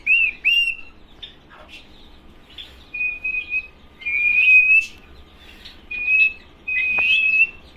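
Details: Male cockatiel, one of a pair, calling: clear, steady high whistles in repeated bursts, each about half a second to a second long, with short rising chirps between.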